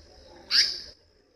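An Indian paradise flycatcher gives a single harsh, rasping call, high-pitched and lasting under half a second. Faint low background rumble, otherwise quiet.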